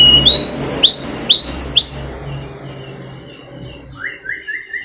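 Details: Flycatcher singing as a lure for mute caged birds: a clear whistle leading into three strong downswept notes, then a softer series of short rising whistles.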